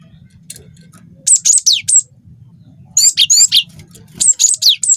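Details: Young cinereous tit of the wingko type, a lure song to provoke other birds into singing: three bursts of very high, rapid whistled notes with sharp downward-sweeping slurs, separated by pauses, over a faint low hum.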